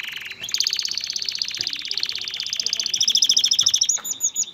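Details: Male canary song meant to get a female ready for mating and spur nest building. A long, fast rattling trill runs continuously for about four seconds, shifting pitch partway before ending in a few swept notes.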